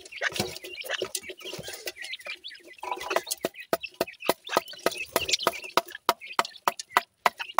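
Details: Feeding baby pheasants enjoying new food: chirps and clucks fill the first half, then sharp pecking taps repeat quickly, roughly three per second, with scattered high cheeps between them.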